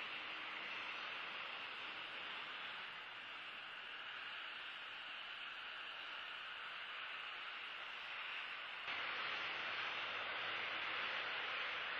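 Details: Steady broadband hiss like static or wind noise, with a slight shift in tone partway through and no animal voices.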